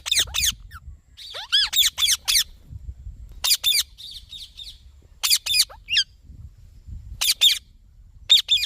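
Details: A green ringneck parrot mixes harsh high screeches with a few rising whistled notes, calling in dense, uneven clusters.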